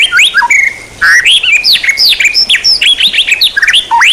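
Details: Varied, fast white-rumped shama song meant as training material for songbirds: dense rising and falling whistled slurs and squeaky notes, nearly continuous after a short pause.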